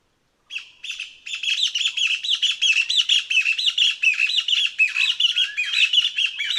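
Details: Taiwan Partridge, found only in Taiwan's lowland and foothill forests, with an accelerating squeaky song: notes start sparse and quickly build into a fast, continuous chattering series of high squeaks.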